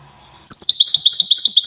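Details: Widani-style European goldfinch from Safi delivers a loud, rapid twittering run of high, liquid notes repeated many times a second, launched abruptly after near silence.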